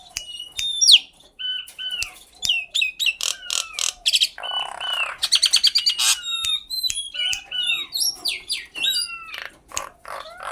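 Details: Common myna in a varied sequence of sharp clicks, sliding whistles, a harsh nasal buzz and rapid rattling chatter, with bursts of quick, descending whistled notes.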